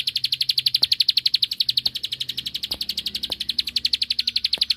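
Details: Bar-winged prinia giving a rapid, steady run of high, sharp chipping notes, about eight each second, with a few faint low knocks behind; the recording is used as a lure to provoke rival birds into answering.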